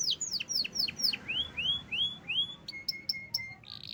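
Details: Caged canary singing after its owner returned from a holiday trip: a run of clear, descending whistled slurs, then rising sweeps, followed by a steady high tone with sharp clicks and a buzzy note at the end.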